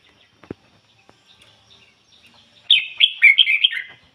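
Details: Red-whiskered bulbul kept as a decoy: after near silence broken by a single click, a burst of lively, rapid warbled notes in ngoi bổi style fills the last second and a half.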